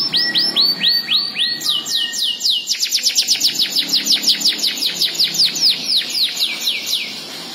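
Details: Domestic canary, a tamed songbird, singing loud rapid trills of downward-sweeping whistled notes, first slower then speeding into fast rolling series several per second, bright and continuous.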